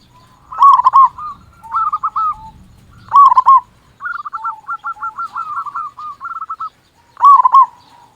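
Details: Local zebra dove singing loudly to provoke other doves: loud rolling coo bursts spaced about every two to three seconds, with a longer run of quick, even stuttering notes between them.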